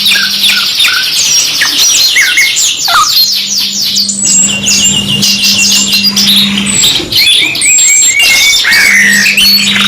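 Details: Canary song, masteran 2-in-1 style: a long, fast buzzy trill opens, then varied chirps, slurred whistles and further rapid rattles follow in layered overlapping phrases, with a low steady hum in places.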